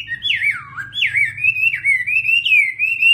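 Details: Chinese hwamei singing: loud, clear whistled notes sliding up and down, with looping swoops followed by a wavering rising phrase, over a faint low hum.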